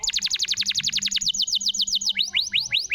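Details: Canary song meant to trigger a stalled canary. A long fast series of repeated high chips, slowing into separate upward-sweeping whistles.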